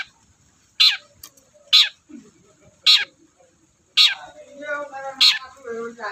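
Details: Long-tailed shrike in loud, nonstop song, used as a lure for reluctant shrikes. Five sharp, grating notes come at uneven intervals, with quiet pauses between them and a soft warbled tail at the end.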